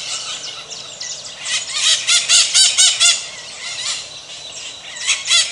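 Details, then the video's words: Maritaca giving strident, raspy squawks in a quick burst of about six notes in the middle, with softer overlapping screeches before and after. "MARITACA CANTANDO"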